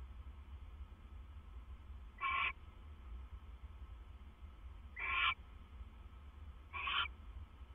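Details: At 2:32 AM on 25 September 2015 an owl pair shares food, the male bringing it to his mate; three short harsh screeches spaced two to three seconds apart, with steady low hum throughout.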